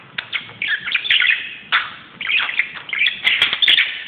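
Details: Indoor pet budgie going wild on a closet utters loud, dense runs of grating warbles and high squeaky chirps in three main bursts.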